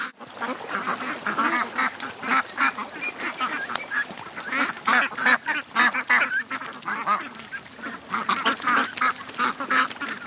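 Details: More than 700 ducks and geese hurry to the lake at morning. Harsh quacks come in irregular bursts, roughly seventeen surges a minute, and overlap into a loud, pulsing flock chorus.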